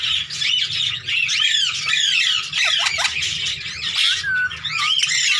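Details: Tame Indian green ringneck parakeet at play with its handler: a continuous stream of shrill, scratchy squawks and quick chatter, with a few short downward-swooping notes and brief dips between bursts.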